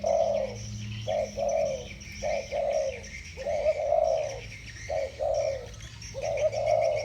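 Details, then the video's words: Two spotted doves with "thổ bầu" voices dueling, trading deep, soft coos in short bursts, some notes drawn out and wavering, calls overlapping closely with brief gaps, over low background rumble. "Tiếng chim cu gáy giọng thổ bầu. 2 con giọng thổ bầu solo với nhau"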